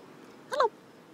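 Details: Female pet bird, spoken to indoors, gives one short harmonic squawk lasting about a fifth of a second, slightly falling in pitch, over a quiet room background.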